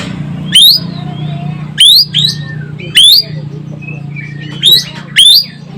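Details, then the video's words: Sumatran Asian glossy starling, chatty and sharp-voiced, calling in loud rising whistled notes, about fifty a minute at irregular gaps, some doubled, over a steady low hum. "EKEK KELING Sumatera Gacor Suara Pedas"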